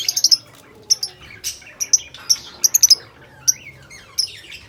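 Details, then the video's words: Lovebirds giving rapid, sharp, high-pitched chirps and squeaky tweets in irregular bursts, some clustered in quick runs of three or four notes, with short pauses between, over a faint low background hum. "Love birds beautiful voice"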